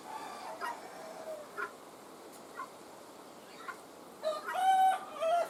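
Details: Chickens during egg hatching with just-born chicks: a few spaced soft clucking notes, then toward the end a louder, rich, drawn-out harmonic call rising in strength and breaking into short bursts.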